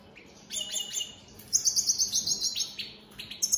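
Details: Opal split Satane mutation European goldfinches sing a quick, tinkling run of high twittering notes and liquid trills, with short pauses between bursts.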